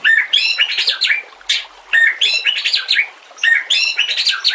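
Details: White-rumped shama singing on a training master recording, mixed with nature sounds and flowing water. A rich phrase of chattering notes and rising-falling whistles repeats three times, about every one and a half seconds, with short pauses between.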